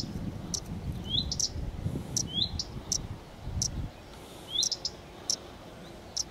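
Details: Rising thin whistles of a common redstart, Phoenicurus phoenicurus, each followed by clicking ticks, repeated about every one to two seconds, with low wind-like rumbling during the first four seconds.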